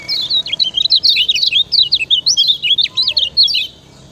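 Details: Continuous high warble of a lemon-bellied white-eye (kecial kuning), Lombok, recorded as 'ciak ciak' master song to teach other birds. Dense zigzagging notes pour out for nearly four seconds, then stop.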